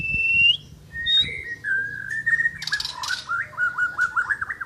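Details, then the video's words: Asian brown flycatcher in active song: a high clear whistle, then lower drawn-out whistled phrases and a bright stuttering run of rising whistled notes, with a brief rustle midway. "Burung mure bordan gacor"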